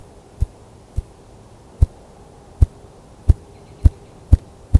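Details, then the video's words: A male Ruffed Grouse drumming near Canmore, Alberta: deep, muffled thumps, about eight of them, starting slow and quickening toward the end, over a faint low hum. "Male Ruffed Grouse Drumming"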